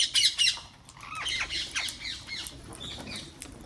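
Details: Wild parrots in a garden: two loud, harsh squawks at the start, followed by a run of softer grating, chattering calls that fade toward the end.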